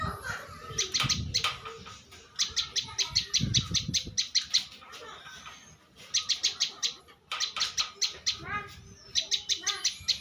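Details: Bar-winged prinia, a champion contest bird, gives rapid strings of dry, clicking chips in several bursts, separated by short pauses, with softer chirps and low background thumps between.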